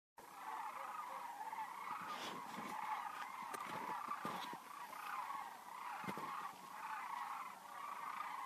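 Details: Sandhill cranes in a huge flock during seasonal migration at Denali National Park and Preserve, Interior Alaska: a dense, continuous chorus of rolling, rattling bugles overlapping throughout, with a few sharper clicks and knocks.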